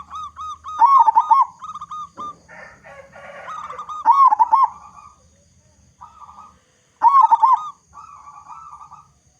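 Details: Local zebra dove from Indonesia, loud and used to prompt other doves to sing: a series of short clipped coos running into rolling trills, repeated three times, with a brief rustling noise between the first phrases.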